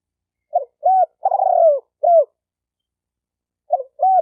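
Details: Spotted dove call for training a newly caught bird: a short cooing phrase of brief hollow notes and a longer, rolling, falling coo. It begins again after a pause of about a second and a half, with a silent background.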